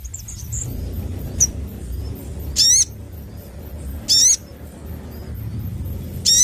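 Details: Lively, full-voiced Crimson sunbird giving very high, harsh buzzy chirps roughly every one and a half seconds, each with a thin whistled note, over a steady low hum.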